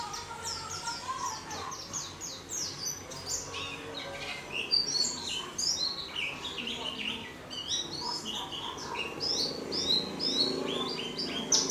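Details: Caged warbling white-eye in a small cage, singing busily: long stretches of rapid, high, scratchy twitters and quick descending chirps, with brief pauses between bursts and faint background noise.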